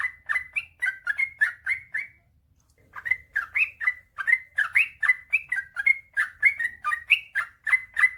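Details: Sooty-headed bulbul giving a long, rapid 'ropel panjang' song: quick bubbly chirped notes stream out, break off for about a second of silence, then resume in a denser, busier chatter.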